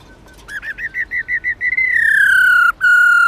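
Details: Singing female white-cheeked laughingthrush (Garrulax chinensis lugens), 'ro' style used to rouse males: a quickening series of loud whistled notes that merges into a long, slowly falling pure whistle, broken briefly, then held again.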